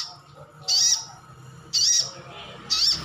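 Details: Sunbird, a privately kept bird, in wild-style calling meant to get other birds to respond: three sharp, high, slightly downslurred notes about a second apart.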